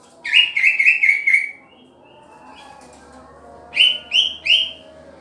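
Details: Green leafbird being paired: a rapid phrase of five slurred, chirping notes, then a pause and a shorter burst of three rising, whistled notes; a quiet hum underneath.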